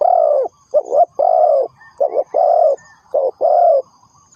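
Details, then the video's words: Spotted dove cooing as a trapping decoy: a long low coo opens, then clipped two-part notes each give way to a drawn-out hollow coo, rhythmic and close, with a quiet high hum underneath. "The Sound Of Spotted Dove is good,Bẫy cu gáy bằng mồi trồn,เสียงนกเขาใหญ่,Suara Terkukur Pikat Tua 2"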